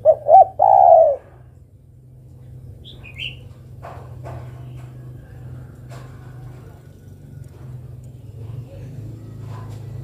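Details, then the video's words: Single calling phrase from a female spotted dove summoning a male: two short notes and a drawn-out coo, then a long stretch of quiet background hum with faint clicks. "Suara burung derkuku betina memanggil jantan"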